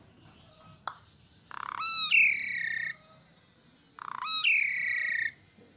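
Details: Asian pied starling in lively song: the same phrase given twice, each a short buzzy rasp that leaps into a rising whistle and then a long, rich, slightly falling whistled note, about three seconds apart.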